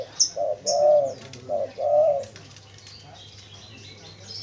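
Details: Spotted dove used to lure wild doves, giving two paired coos, each a brief hoot then a longer steady one, followed by quiet background with faint high chirps from other birds.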